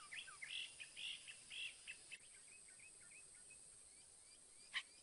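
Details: Northern mockingbird in song, giving a burst of varied chirps and short whistled slurs that fade into softer notes, followed by near silence and one sharp click.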